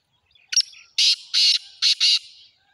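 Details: Black francolin calling: a sharp opening note followed by four loud, harsh, buzzy syllables delivered in a rhythmic phrase over about one and a half seconds, with a faint hiss between notes.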